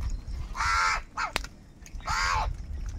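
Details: Crows calling angrily for food, two long rasping caws with a short rough note between and a sharp knock, over low rumbling background.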